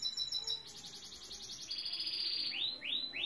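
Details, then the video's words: Saira canary singing: rapid trilled phrases at a high pitch, one repeated series of notes giving way to another, ending in a few rising, swooping whistled notes. "سایرہ کناری مست از استاد ضامن/Saira canary singing"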